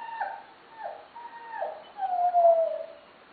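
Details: Fila Brasileiro puppies, black and golden, males and females, give high, wavering whimpers and drawn-out whines that rise and fall in pitch.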